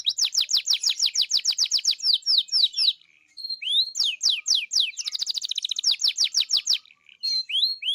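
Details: Canary in full song, fast trills of rising high-pitched notes repeated rapidly, rolling phrases broken by brief pauses, then a sharp buzzy trill and upswept whistled notes; no other sounds.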